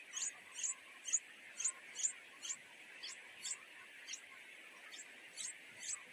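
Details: Pair of greedy nightingale chicks in a wild nest pleading with their mother for food: rapid, sharp, high-pitched cheeps in an uneven run, roughly one per second, with constant hiss behind.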